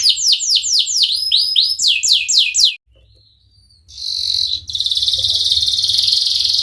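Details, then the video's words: Singing canary, Cengkok Mewah style, played as therapy for canaries that will not sing: quick looping whistled notes in a steady run, a near-silent pause, then a high, steady buzzing roll. "Burung kenari gacor Cengkok Mewah durasi panjang cocok buat terapi kenari agar cepat bunyi gacor"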